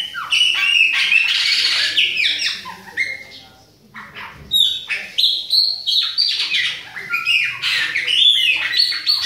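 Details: Bahia-type Chopi blackbird song from an adult and a young bird: dense bursts of ringing, slurred whistles and harsh chips, a brief near-silent gap midway, then renewed rising and falling whistled phrases.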